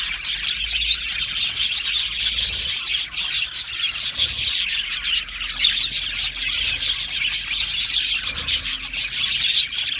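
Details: Budgies of an Australian aviary colony chatter in a thick, high twittering mass, swelling and dipping slightly in loudness.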